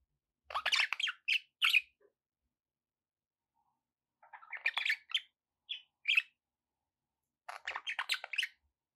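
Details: Indoor pet budgerigars chatter in three separate bursts of fast, scratchy warbling and sharp chirps, with quiet pauses of a second or two between them.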